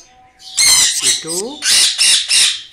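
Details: A pet blue ringneck, a talking rose-ringed parakeet (Psittacula krameri), gives four harsh, shrill squawks in quick succession, broken by a brief wavering, speech-like warble partway through.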